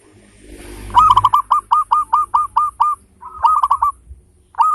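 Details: Frequently singing local zebra dove with a big voice and beautiful rhythm, used as a lure to prompt song: a long series of about ten regular hooked cooing notes after a quick stutter, then another rapid burst.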